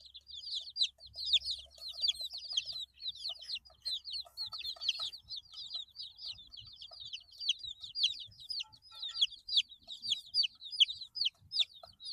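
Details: Baby chickens, eight days old, filling the air with dense, continuous high peeps, each a short downward-swooping whistle, many chicks calling at once with small taps and rustles between.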